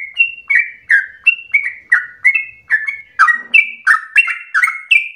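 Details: Rapid, insistent song of a Sooty-headed bulbul for stimulating and tutoring cage birds: downslurred whistled notes in a fast irregular series, growing louder and harsher toward the end.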